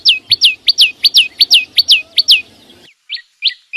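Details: Vietnamese green flowerpecker (chim sâu xanh) singing: a fast series of high, sharply down-slurred whistled notes, about two to three per second, then a short pause and a few scattered notes.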